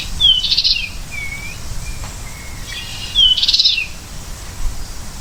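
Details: American goldfinch repeating a high phrase twice about three seconds apart, each a thin upslurred whistle leading into a bright jumbled twitter, with softer lower slurred whistles in between over quiet outdoor ambience.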